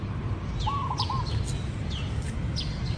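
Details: Zebra dove, recorded outdoors: a short rolling run of soft, low, staccato cooing notes lasting about half a second, while other small birds give high, thin downslurred chirps throughout over a steady low background rumble.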